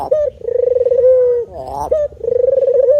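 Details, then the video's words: Spotted dove calling with low, throbbing coos. A brief coo and a long pulsed note that settles and fades are followed by a wavering, buzzy note, another short coo and a further purring coo. "Bunyi Tekukur Jawa"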